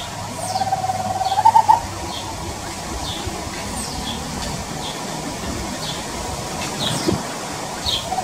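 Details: Tropical screech-owl singing in Brazilian farm woodland, giving a brief rapid purring trill that climbs a little and finishes with several stronger accented notes, followed by soft background insect chirps and low rumble.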